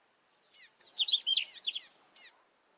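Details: Recently fledged rusty-collared seedeater calling a lot beside its father: high downward chips bracketing a quick burst of varied twittering notes in the middle, clean quiet background.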